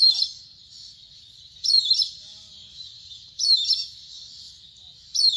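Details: Indian grey hornbill giving shrill, squealing calls high in pitch, each burst lasting about half a second and repeated roughly every 1.7 seconds, with quiet gaps between and a faint low background hum.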